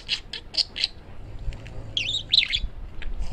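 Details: Male parakeet kept as a pet, chattering: a few short, evenly spaced chirps, then a twisting warbled phrase of bright notes, over a quiet room.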